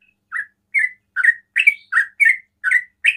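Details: Sooty-headed bulbul in ropel style, provoking other bulbuls to call. After a short silence, eight clipped, slightly buzzy chirps follow one another at a brisk, even pace.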